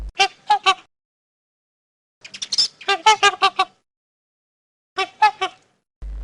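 Trumpeter Swan giving loud, nasal, horn-like honks in quick bursts of three to six notes, separated by short silences.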